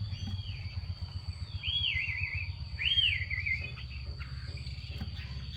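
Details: Female Chinese hwamei calling to push males into singing, heard as two clear slurred whistles that rise then fall in a wavering trill, set against a loud low droning hum.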